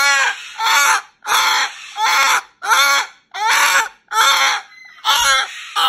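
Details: Indoor pet Moluccan cockatoo at bedtime, rebelliously complaining about going into its cage: a rhythmic series of about seven harsh, grating screeches, roughly one and a half per second, loud and raw.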